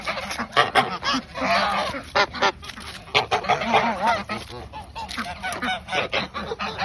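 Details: Geese at bedtime treat time call constantly, loud nasal honks layered over each other with a few sharper cackling bursts.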